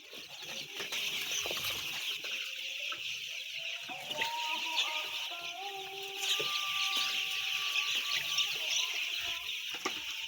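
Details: A huge crowd of about 10,000 white chicks, a dense, unbroken wall of high shrill peeping with steady overlapping cheeps and a few lower tonal whines in the background.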